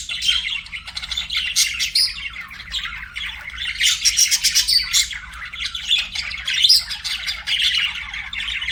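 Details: Several pet budgies singing together, a long rolling warble of scratchy chirps, clicks and squeaky notes rising and falling in loudness with no real gaps.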